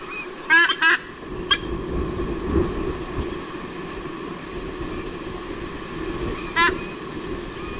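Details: White-bellied sea eagles, parents of young E21 (absent from nest), chasing off intruders at Sydney, Australia, 16 Oct 2018: loud, nasal, goose-like honks in quick short bursts, then one more after a pause, over steady wind and distant rumble.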